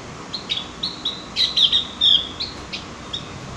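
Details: Song of the Javan grey-throated white-eye, played as a lure to make birds sing: thin high whistled notes, then a louder cluster of bright chirps in the middle, then more spaced single notes.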